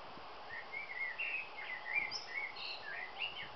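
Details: A male common blackbird (Turdus merula) sings a run of mellow, warbled phrases in a middle pitch, broken by higher, squeaky twitters, over a soft outdoor hiss.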